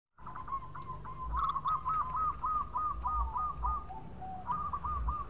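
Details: Local zebra dove in full vigorous song, a long lure recording: a rapid series of short, arched, hollow cooing notes at steady mid pitch, about three per second, over a low rumbling background hum.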